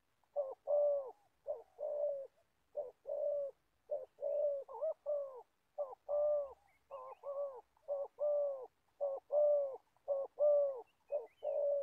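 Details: Old spotted dove decoy for trapping wild birds in Gia Lai, Vietnam, producing a sustained series of low hoarse coos in short-long pairs roughly every second, with faint high chirps now and then.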